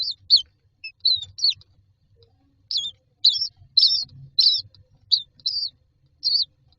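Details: Myna chicks in a nest box awaiting food utter thin, high, twisting squeals, sparse at first and then coming in a quicker run of about eight calls, with soft shuffling underneath.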